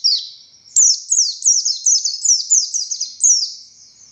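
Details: Singing buxtoni Oriental white-eye delivering ngalas song with sharp tembakan: a sustained thin high note followed by a brisk series of bright, downward-flicking whistles repeated about three times per second.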